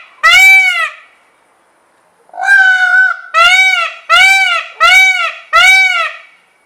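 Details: A single loud peacock scream comes first. After a pause, a longer, flatter wail follows, then four quick arched, trumpet-like screams in steady succession.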